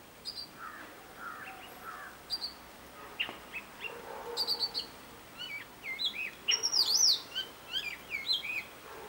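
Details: Robin, known as a great mimic, in a changing song: quiet scattered whistles and chirps at first, then a louder burst of high looping slurs and quick twittering notes, over faint background noise.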